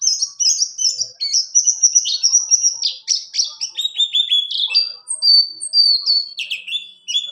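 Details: Buxton's white-eye song, a rolling style used to train other caged birds and to help birds that have stopped singing: a long, fast, high twittering run of varied chirps and slurred whistles with no pauses, clean with no other sounds.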